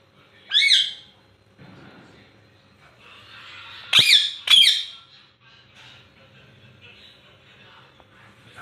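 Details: Ringneck parrot at home, playing and vocalising: one sharp, piercing screech, several seconds of soft background murmur, then two more loud shrill screeches close together, with faint room noise.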